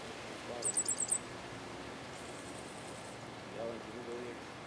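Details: Cuban grassquit, hammer and bell song type: a quick burst of five high, sharp notes, then a faint, thin, drawn-out high buzz, with low murmuring in the background.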